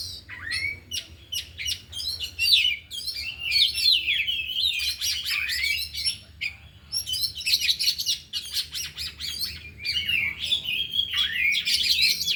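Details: Afternoon training of four oriental magpie-robins revealing their isian: energetic varied song in bursts of sweeping whistles, chattering notes and downward slurs, separated by short lulls.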